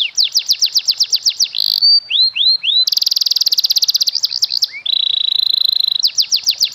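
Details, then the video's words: Canary master song with fancy cengkok phrasing, used to train young birds to sing quickly: fast repeated descending whistled sweeps, a buzzy steady trill, rapid high notes, then sweeps again. "MASTERAN KENARI CENGKOK MEWAH!!! BIKIN PAUD DAN BAHAN CEPAT GACOR!!!"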